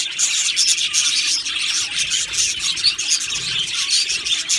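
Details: Chorus of pet budgerigars, Australian parrots kept in an aviary colony, chirping together: dense overlapping high twittering and short squeaky notes with no pauses, many birds calling at once.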